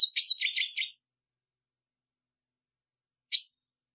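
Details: Black siskin giving a quick, high cluster of four or five buzzy chirps lasting about a second. A long silence follows, then one last sharp note.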